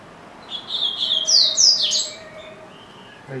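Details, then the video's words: Caged double-collared seedeater singing for long stretches: a clear high whistled phrase of sliding notes, rising into sharp downward-sweeping strokes over about a second and a half, against a steady background hiss. "Coleiro Bravo - Canta Muito"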